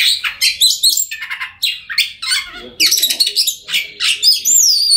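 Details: Oriental magpie-robin in full song, played so silent birds will start singing: harsh, scratchy squawks and fast chattering bursts alternate with clear whistled notes, ending in high, rising and falling whistles.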